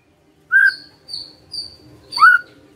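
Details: Magpie-robin giving a few clear whistled notes: a strong opening whistle, two thin, high, softer notes, then a final loud slurred whistle, heard against a quiet background.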